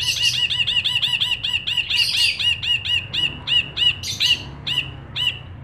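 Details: Lively ashy bulbul song, a rapid chain of bright, bouncing, ringing notes that slows and breaks into separate phrases with short pauses toward the end.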